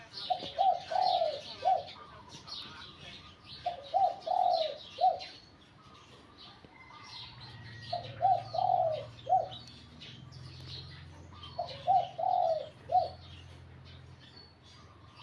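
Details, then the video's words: Spotted dove trained at home for song competition, repeating a short cooing phrase of three to four soft, hollow notes about every four seconds, four phrases in all, over light twittering from other birds. "นกเขาใหญ่ เสียงนกเขาใหญ่"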